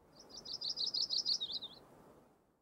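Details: Yellow-rumped warbler song: a quick high trill of sweet, slightly warbled notes running about one and a half seconds, dropping a little at the end, over soft low background hiss.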